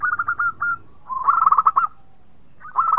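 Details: Zebra dove (local perkutut) singing sweetly: a quick stuttering run of coos, a pause, then a longer rolling phrase ending in a held note, and a new phrase starting at the end.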